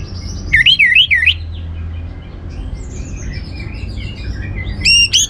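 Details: Orange-headed thrush song, intended to stimulate other birds to sing. A short burst of looping, wavy whistles appears early, then quiet with faint twitters, and another loud whistled note closes the clip, over low hum.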